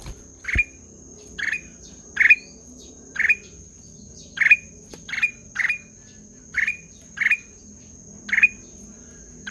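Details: Ruby-throated bulbul (kutilang emas) delivering a sweet, melodious series of single clipped chirps that end in a bright upward flick, repeated about once a second over a quiet low background hum.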